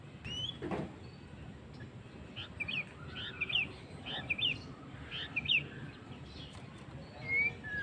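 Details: White-rumped shama in the afternoon, repeating short whistled two-note flourishes about every three-quarters of a second, sharp and clear, ending with a longer rising whistle; faint low background hum throughout.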